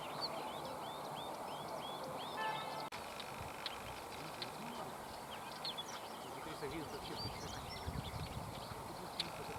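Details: Bluethroats at sunset on a summer day near dachas and ponds in a river floodplain: a run of repeated high arched notes about four per second, then quick varied twittering phrases, over steady low rumble.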